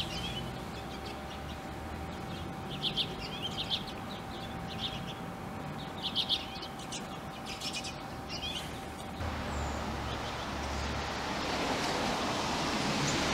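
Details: A few Icelandic redpolls in Akureyri, Iceland, 2016, give short, high chattering twitters in loose bursts, with a steady hum underneath and a rush of wind or traffic noise at the end.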